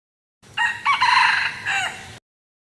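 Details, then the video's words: Wild junglefowl giving a four-part crow lasting under two seconds: a clipped start, a rising second note, a long harsh held tone and a fading, downward-bending close, heard clearly against silence. "suab qaib qus qua zoo"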